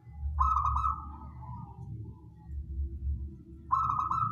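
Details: A wild local perkutut, or zebra dove, sings in a recording used to lure birds. A long, rolling, vibrating coo phrase descends and fades, then a new phrase starts near the end. Continuous low-pitched background rumble.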